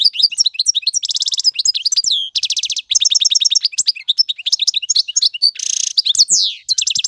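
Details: Singing male European goldfinch used to train fledglings; busy non-stop twittering mixed with rattling buzzy trills and one drawn-out nasal wheeze near the end.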